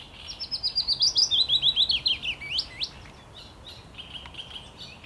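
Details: Song of a willow warbler, 17 May 2021, a fluid cascade of whistled notes that starts high and drops steadily over nearly three seconds, finishing with a couple of rising flourishes, followed by faint distant chirps.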